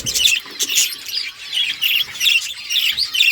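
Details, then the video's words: Pet budgerigars chirping as they talk to each other: a dense, continuous stream of bright, twittering high chirps and short squawky notes, rising and falling in loudness roughly every half second, with several birds overlapping. "Beautiful birds chirping sounds Talking to each other"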